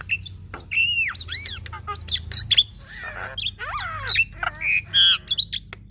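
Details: A female black-winged starling sings vigorously from a cage: dense overlapping whistles, rising and falling slurs, harsh squawks and brief buzzy bursts packed tightly together throughout.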